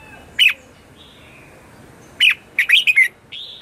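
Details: Red-whiskered bulbul decoy bird singing its morning 'chè' style song, used to lure wild birds and train captive ones: a short bright chirped phrase, a pause, then a quick run of four sharp notes and a thin high whistle.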